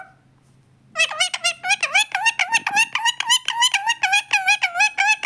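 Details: Pet talking parrot in a small room giving a rapid series of squeaky, laugh-like chattering notes, about three to four per second.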